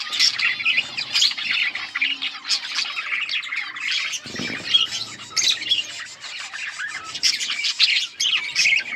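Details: Yellow budgies, recorded August 20, 2024, keep up busy overlapping chatter: rapid high chirps, rasping warbles and short squeaks. A brief low thump is heard midway.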